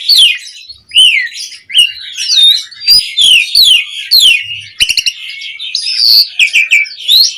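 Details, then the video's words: Asian pied starling giving energetic mompa song as a lure for other birds: loud, buzzy, descending slurs and whistles in quick succession, plus bursts of dry rattling notes, with no other sounds. "Pancingan Jalak Suren Mompa RingTone Bikin Suara Burung OCEHAN satu Rumah LANGSUNG Nyaut"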